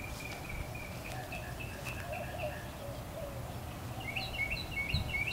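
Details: Back-yard mockingbird: a series of even repeated notes, then a higher burst of quick chirps near the end, with low background noise throughout.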